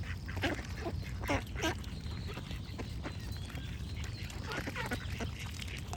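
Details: Duck quacking in a burst of four or five hoarse, nasal calls early on, then fainter irregular quacks, with a constant low watery rumble and faint bird calls in the background.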